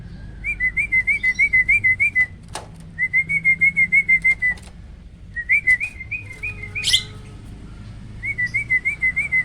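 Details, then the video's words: Crossbred starling, black-winged crossed with Asian pied, delivering a loud 'roll tembak' vocal-tutor song. Long runs of rapid, rolling, wavy whistles repeat about three times a second, broken by short pauses and a brief harsh burst. "BURUNG JALAK HYBIRD || GURU VOKAL SUARA ROLL TEMBAK."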